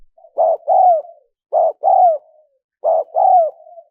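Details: A spotted dove's cooing, played to draw in wild doves: three low, husky double coos, the second note longer and falling, with soft trailing tones after each and clean silence between.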